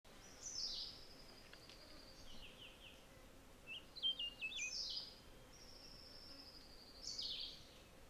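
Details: Rose-throated tanager: high, thin whistled notes with a buzzy, stepped series sliding downward, then a short burst of sharp chips and a long, even whistle ending in a rising flourish, over quiet background hiss.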